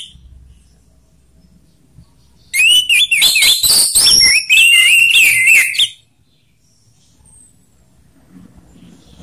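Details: Orange-headed thrush ngeplong song mixing rough and slow phrasing. One burst of about three seconds of bright, rapid whistled twitters and rising slurs, with quiet stretches before and after.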